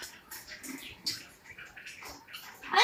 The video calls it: Amazon parrot talking